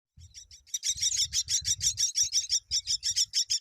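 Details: Myna chicks being fed as both parents come to the nest: rapid, evenly repeated high buzzy chirps, about three per second, rising to a steady insistent chorus.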